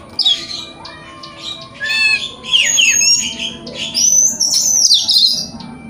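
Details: Oriental magpie-robin, a kept bird, used to prompt another to spread its tail and sing: a jumble of high scratchy notes, chattering trills and sliding whistles, loud in bursts.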